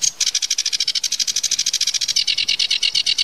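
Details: Sedge warbler burst song of fast, buzzy churring notes repeated in a steady rattle that shifts slightly lower toward the end.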